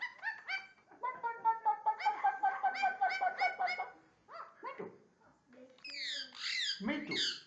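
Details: Indian ringneck parakeet talking and barking: a run of harsh, voice-like harmonic syllables repeated about twice a second, then a brief pause and higher, squawky, rising and falling calls near the end; human speech nearby.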